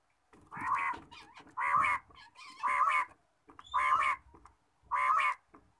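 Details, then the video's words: Quail calling in the morning: a series of five loud, harsh, rasping notes, each about half a second long and repeated roughly once a second, with faint background noise between them. "batair ki awaz subha"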